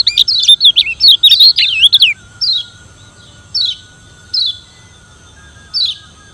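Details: Lombok yellow white-eye (kecial kuning) challenging rivals in song: a two-second burst of dense, fast, high twittering and looping whistles, followed by four separate thin downslurred chirps spaced evenly apart.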